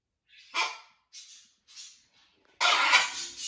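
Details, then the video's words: Blue-and-yellow macaw at a parrot rescue sanctuary, adapting to a new flock, among lots of parrot talking: a few short harsh squawks, then a loud sustained raspy screech. "Blue & Gold Macaw is adapting to his new flock. Lots of parrot talking."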